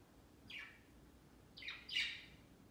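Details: Pet budgies flocking on a big Christmas tree beside their cage on Christmas Day, celebrating their first Christmas. One scratchy falling chirp, then a fast rising-and-falling double chirp, loud and close, over a low room hum.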